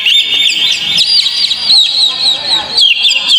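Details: Oriental magpie-robin (kacer) song used as a lure to get a kept magpie-robin singing: a continuous, loud stream of high whistled and chattering notes with quick sweeping slurs and no pauses.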